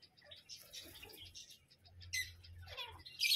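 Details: Parrot uttering harsh squawks and scratchy chatter, building to a loud grating call at the end, with a constant low hum in the background.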